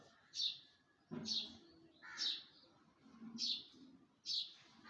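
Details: Morning birdsong from a tree: sharp high chirps repeated roughly once a second, with softer lower murmurs and rustling underneath.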